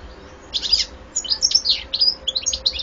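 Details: European goldfinch, recorded 2014, singing a loud, bright jumble of tinkling chirps, buzzy notes and quick trills, starting after half a second and running on in fast irregular bursts.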